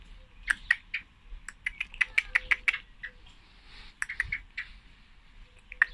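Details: Scattered sharp chinking calls from a female common blackbird, some single and some in quick runs, loud clear ticks standing out against a faint hum.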